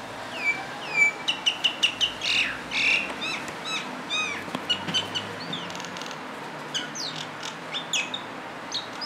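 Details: A common myna sings a varied, jumbled run of whistles, sharp chirps and harsh clicks, notes tumbling irregularly over about nine seconds against faint background hiss.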